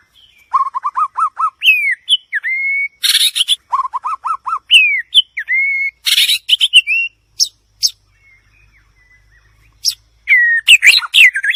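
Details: White-rumped shama singing at length: bursts of quick repeated whistled notes alternate with long gliding upslurred whistles and harsh, broad rasping bursts. A pause of about two seconds comes before the song resumes with twisting whistles.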